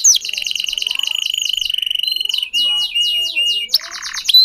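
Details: A Belgian canary of the cengkok song type, whose song the bird modifies itself, sings a loud, rapid trill of repeated notes near two and a half kilohertz, then faster rolling phrases and sharp upslurred whistles.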